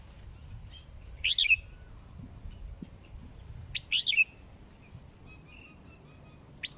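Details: Short liquid whistled phrases from a sooty-headed bulbul over four months old, a kept bird, two main bursts roughly two and a half seconds apart, then a soft note and a sharp chip, with a quiet background.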